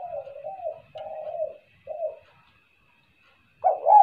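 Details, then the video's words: A spotted dove gives soft, low hollow coos in a short run of three phrases, then a louder coo after a pause, over a faint steady hum; used as a lure call. "SUARA TEKUKUR,,, buat pancingan suara kuk2...."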